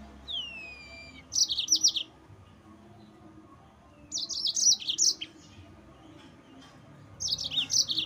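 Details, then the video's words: Yellow-fronted canary song used to stir rival birds: a falling whistled note, then three bursts of rapid, high-pitched chirping phrases spaced a few seconds apart, faint steady hum underneath. "Mozambik Gacor NGEROL Terbaik untuk Pancingan bikin Lawan Naik Emosi"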